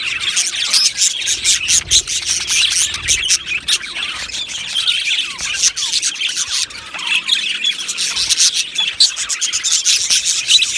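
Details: Australian budgerigar colony in an aviary, long unbroken chorus of high twittering, chirps and harsh squawks from many birds, with brief downward whistled notes heard now and then.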